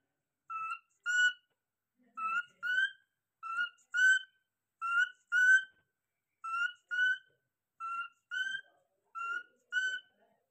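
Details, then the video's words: Pet cockatiel giving an alarm call: loud, harmonic, slightly rising whistled notes in quick pairs, seven pairs spaced about one and a half seconds apart, with a quiet background. "Cockatiel Alarm"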